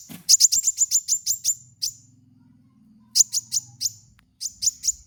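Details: Van Hasselt's sunbird (kolibri wulung) lure song for cage birds: fast runs of sharp, very high, evenly spaced chirps, about eight per second, given in three bursts separated by pauses.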